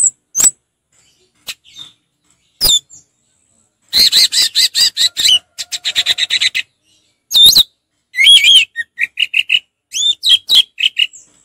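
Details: Orange-headed thrush, a kept songbird, in relaxed song; rapid harsh rasping trills, then looping high whistles and a run of short repeated whistled notes.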